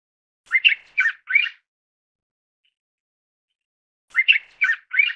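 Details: Mountain bulbul giving two bursts of harsh, chattering notes, each burst three to four quick squawky syllables, separated by about three seconds of silence; no other sounds.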